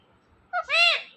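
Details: Five-year-old pet parrot talking: a short clipped syllable followed by a longer, harmonic, voice-like word that arches slightly in pitch, spoken clearly in a quiet room.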